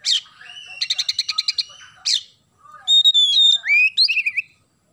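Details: Oriental magpie-robin singing energetically in the isian gereja style: a scratchy note, a rapid rattle of sparrow-like chirps, another harsh note, then a flowing run of clear whistled notes that rise and fall.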